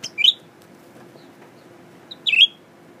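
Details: Newly kept male blue-winged leafbird, tame with people, singing while looking at its mirror: two short, sharp, high chirped notes about two seconds apart in a quiet room.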